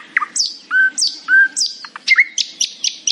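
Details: Happy morning singing of a nightingale: high downward chirps alternate with pure, drawn-out lower whistles, then a sliding note leads into a quick run of sharp, evenly spaced high clicks.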